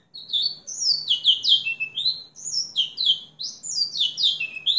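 A house finch sings a long, bright, rambling warble of quick slurred notes, many swooping down at the end, under a faint low hum.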